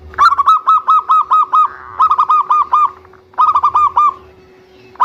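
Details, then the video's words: Local zebra dove with a big voice, played to lure and spur other doves into singing: three runs of rapid, evenly spaced rolling coo notes, about six to eight each, with a steady low hum behind. "Perkutut Lokal Suara Besar - Biang Pancingan"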